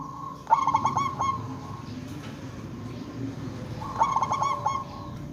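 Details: Zebra dove, a local bird used as a lure so others call back, giving two matching phrases of rapid clipped cooing notes about three and a half seconds apart, with a low steady hum beneath.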